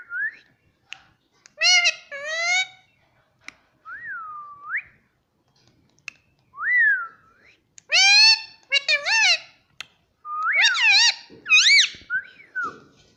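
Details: Pet Indian ringneck parrot that talks, saying mummy and papa in Hindi. Clear looping whistles mix with bright, stacked, word-like syllables in bursts over about thirteen seconds in a quiet setting.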